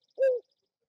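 A Eurasian Collared Dove gives a single hollow, owl-like coo: a mid-pitched note that dips slightly and lasts about a quarter second, with silence around it.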